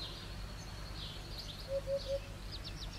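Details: A single phrase of Eurasian hoopoe song: three low, evenly spaced hollow hoots near the end, with thin high chirps and twitters from other small birds around it.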